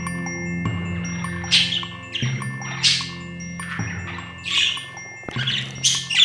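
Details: A pet budgerigar's scratchy, high chatter comes in bursts about every one to two seconds as it sings along with a chiming "We Wish You a Merry Christmas" carol.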